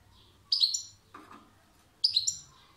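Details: European goldfinch song: two bright, ringing chirps with metallic overtones, about one and a half seconds apart, and a soft lower note between them in a quiet room.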